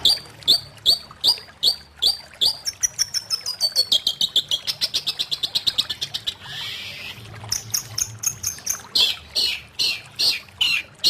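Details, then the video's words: Long-tailed shrike sings a fast even run of repeated high chirps that accelerates into a tight rattle, then a brief harsh buzzy note, before resuming sharp chirped phrases. "Burung Cendet Ini Punya Suara yang Luar Biasa"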